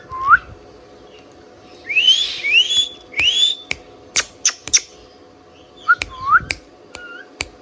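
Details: Indian ringneck parakeet kept as a pet, giving thin rising whistles and short upslurred chirps, separated by sharp clicks, with a quiet room hum behind.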